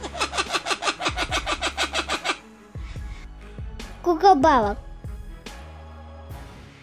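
A kookaburra's loud cackle, a rapid run of about a dozen harsh, rhythmic 'kook-ka' notes over two seconds, followed by a child's voice speaking.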